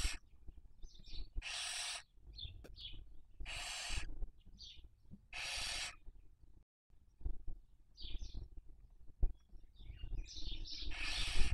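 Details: Barn owls breeding in Cabañeros National Park, Toledo/Ciudad Real, Spain, 2023 season, captured by webcam. Several harsh hissing screeches spaced irregularly, mixed with brief high squeaks and a quiet stretch midway.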